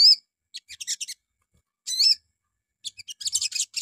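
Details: Crimson sunbird morning lure song, used to prompt other sunbirds to answer, gives high, thin twittering bursts with a brief whistled note, in three quick spurts about a second apart, with no other sounds.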